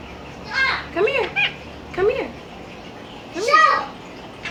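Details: Young talking Quaker parrot, five months old, kept as a pet, calling for the household dog: three clipped, nasal, voice-like phrases with arching overtones, about a second apart, in a quiet room.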